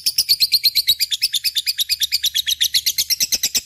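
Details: Lovebird singing continuously (gacor), used to stimulate other birds: sharp, high chattering notes in a fast steady rhythm, slightly wavering in pitch, sustained throughout.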